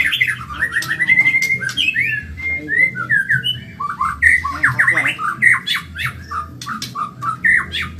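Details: White-rumped shama of the Medan type, singing a fast, lively training song used to teach caged birds. Rich stream of clear whistled phrases, rising and falling slurs and sharp chips, almost unbroken. Faint low hum underneath.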